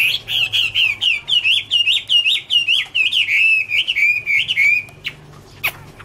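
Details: Chinese hwamei, 2017: a steady series of about twenty wavering whistled notes at an even pace, ending in a long sliding whistle, followed by a sharp click and near silence.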